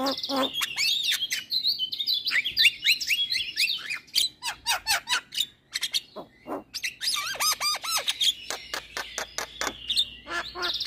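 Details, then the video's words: Caged Javan myna singing, played to coax silent, stressed or moulting mynas into song; a varied, busy jumble of whistled slurs, rapid clicks and squeaky chatter with a brief lull midway, ending in quick rising trills. "Pancingan Jalak MAcet Bunyi / Jalak Stres / Jalak Mabung / Jalak Bisu"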